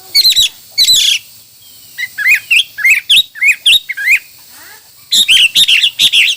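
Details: Hwamei singing a varied song: loud, clear whistled phrases with rising and falling slurs, repeated in quick succession with brief pauses between bursts.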